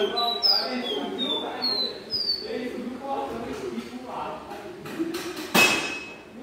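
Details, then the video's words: Caboclinho (pé de serra/serrano/Santa Maria), a caged bird taken to a metalworking workshop, sings a series of high, clear whistled notes, several slurring downward, over a murmur of voices and room noise, ending with a sharp clink. "CABOCLINHO CANTANDO MUITO,ESSE É O CABOCLINHO PÉ DE SERRA"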